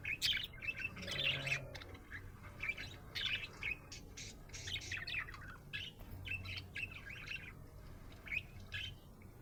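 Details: Happy budgerigar chirping: loud opening chirps, then a long run of scratchy warbled notes and clicks, with a brief low tone near one second.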